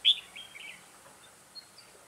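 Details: A single loud, high chirp from a red-whiskered bulbul kept as a trapping decoy, recorded on 2 October 2018, runs straight into a brief, falling warble, then fades to quiet background noise.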